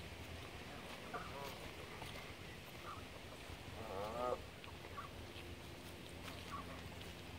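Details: Canada geese on the TO Islands, with one loud nasal, harmonic-rich honk near the middle, fainter honks before and after it, and steady low rumbling background noise.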